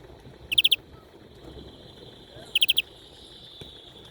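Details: European greenfinch song: two short, rapid four-note trills, high and bright, about two seconds apart, over a low steady background hiss.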